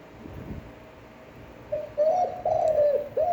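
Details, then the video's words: Cooing of a spotted dove in a standard, attractive voice meant to excite other doves: a phrase of low, smooth coos, longer notes then a shorter final one, after a quiet start. "Tiếng chim cu gáy chuẩn (kích bổi, hơi dài, giọng hấp dẫn, luyện bổi mỗi ngày)"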